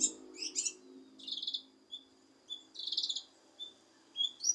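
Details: Cucak kinoi leafbird, recorded to coax a lazy kinoi into singing: quick high slurred notes and buzzy trilled phrases with thin chips, over faint background hum.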